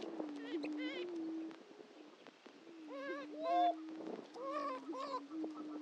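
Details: Greater prairie-chickens at the historic Dunn Ranch Prairie lek in Hatfield, Missouri: a low steady moaning drone with a few wavering, stacked whooping calls near the start, middle and end.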